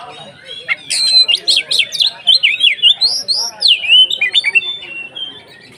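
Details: Kacer (Oriental magpie-robin) singing konslet ngeplong to rouse other kacer: harsh high rasps, then a long fast stream of looping whistled notes sweeping up and down, trailing off into a thin whistle.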